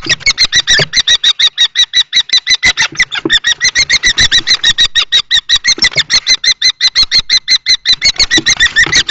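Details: Close, loud common kestrel calling during a fight between two males over a nest box in Théding, France, March 2024: a dense, unbroken rattle of shrill notes about three per second, slightly reverberant.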